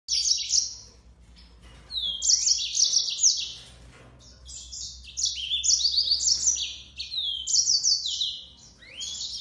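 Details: Yellow-fronted canary singing: bright, high warbling phrases of rapid trills and slurred whistles, delivered in bursts of one to two seconds separated by short pauses.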